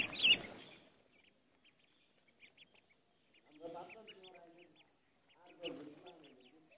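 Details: At a pond, a duckling's short high peeps repeat steadily through the quiet gaps. Two spells of lower, nasal quacking break in, and a loud knock sounds at the start.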